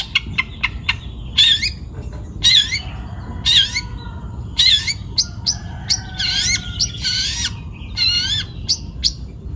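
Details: Young forest-caught long-tailed shrike in full song: sharp clicks, then loud buzzy notes with wavering whistled tones, roughly one each second. Later phrases run together into longer harsh bursts over a faint steady hum.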